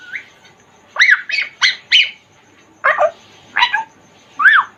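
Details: Congo African grey parrot in a cage giving a run of short, harsh squawky syllables, four in quick succession, then three more spaced apart, each bending up and down in pitch.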